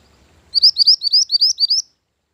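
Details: A mantenan gunung bird, recorded for luring and as a master song for training, sings roughly eight high, rising, slurred chirps in quick regular succession over about 1.3 seconds.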